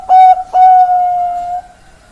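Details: Zebra dove (perkutut) in Indonesia, recorded on 4 March 2023, giving a short clear whistled coo: two brief pure notes followed by a long steady held tone lasting about a second, then fading.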